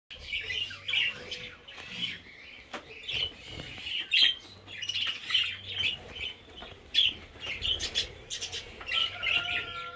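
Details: A group of newly acquired budgerigars in an aviary in 2021 chatters continuously with high warbling chirps and squawks.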